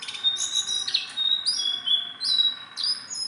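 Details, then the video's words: Tame Sunda bulbul gives clear high whistled phrases, each opening with an upward slur into a sustained note, repeated about four times. "BURUNG JONGKANGAN GACOR TELER JINAK PETETAN"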